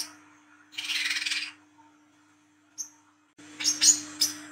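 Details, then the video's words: Lure recording of an olive-backed sunbird in 'ngriwik' style: a short, buzzy, high chattering burst, a lone thin squeak, then a loud run of sharp, piercing high notes, with a constant faint electrical hum. "KOLIBRI KELAPA WICEH TROTOL GACOR NGRIWIK NGLAGU MENTAL JAHAT/PANCINGAN KOLAP"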